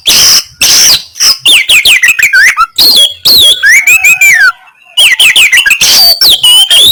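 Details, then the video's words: Oriental magpie-robin (kacer) in full, loud 'kasaran' song material: dense varied phrases of whistles, sharp downslurred notes and harsh buzzy bursts, rapid and continuous with brief pauses, no other sounds. "Materi Kasaran Burung Kacer Gacor, Bikin Lawan Gembung"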